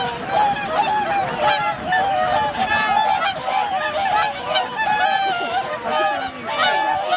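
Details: Wintering swan flock on Lake Hyoko, a man-made lake in Agano City, Niigata, Japan, on 8 January 2022, with 2628 swans counted. Dense chorus of overlapping nasal, trumpeting honks, constant throughout with bursts of louder calls.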